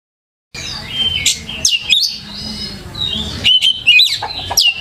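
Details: Oriental magpie-robin singing on a lure recording meant to train young birds to learn sounds and sing actively; after a brief silence, sharp whistled notes and fast up-and-down sweeps mix with buzzy, scratchy phrases.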